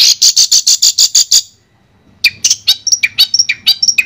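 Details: Long-tailed shrike song as therapy for a stuck bird: a steady run of eight evenly spaced sharp notes, a brief silence, then a varied jumble of chirps, whistles and clicks.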